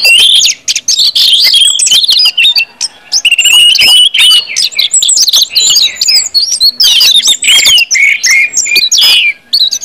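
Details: Orange-headed thrush song in the 'ngeplong' manner, used to make other birds sing: nearly ten seconds of crowded, rapid high whistled and buzzy phrases, with sharp chips throughout and only brief breaks.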